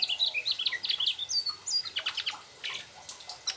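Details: Mugimaki flycatcher in rolling song with learned trucuk phrases: quick high chattering notes and whistled slurs, followed by softer clicks and ticks toward the end.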